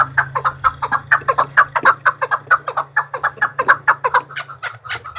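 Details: A fighting-trained Chukar partridge calls against rivals, a run of loud clucking chuck notes, roughly two per second and fairly even, over a faint low hum.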